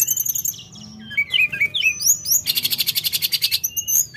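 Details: Lively sooty-headed bulbul song: high thin whistles and slurred notes, then a fast buzzy rattling trill lasting about a second, followed by sharp whistled phrases.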